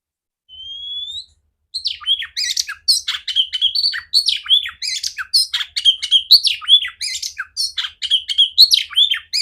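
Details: Female oriental magpie-robin singing loudly and clearly, her song meant to be played to other magpie-robins. A single rising whistle opens, then, after a pause, a fast, varied stream of chattering, scratchy notes and whistles continues without a break.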